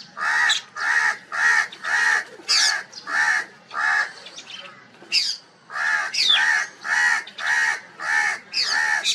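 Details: Loud crow calling: a long run of harsh, rasping caws, about a dozen and a half, delivered in quick rhythmic bursts with one short break, while thin high chirps of other birds slip in between.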